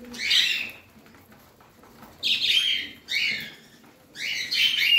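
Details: Parrot, a pet bird, uttering four separate loud, scratchy chirp bursts, each under a second long, divided by quiet gaps.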